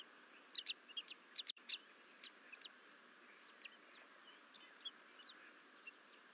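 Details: Bald Eagle twin eaglets exploring outside the nest bowl at Fort St Vrain, 14 April 2024, with the mother away: clustered high thin peeps early, then sparser chirps, one sharp knock, constant background hiss.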